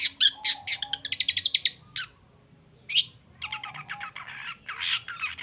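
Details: Energetic long-tailed shrike song used to provoke silent shrikes into replying: a rapid stuttering burst of clicky high notes, a short silence, one harsh loud note, then a scratchy chattering phrase.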